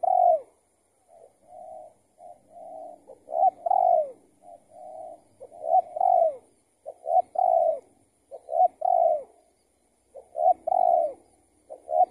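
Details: Spotted dove lured by a decoy during trapping; the target was an escaped tethered trapping bird. Continuous series of low coos, with short notes leading into longer, slightly falling coos, repeated through the whole stretch.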